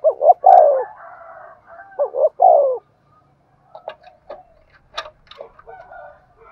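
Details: Decoy spotted dove giving the Thúc Gù coo: two back-to-back phrases, each a pair of short notes followed by a longer sinking coo. After them come several sharp clicks and taps with faint soft notes.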